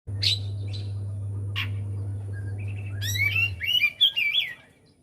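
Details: Javan white-eye song used as a lure to get a quiet bird singing: a short burst of rapid, twittering, up-and-down whistled notes after a few sharp chips, over a steady low electrical hum.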